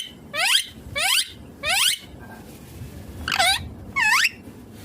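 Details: Green Indian ringneck parakeet making five drawn-out, raspy calls that slide downward in pitch, spaced unevenly over a few seconds against a quiet indoor hum.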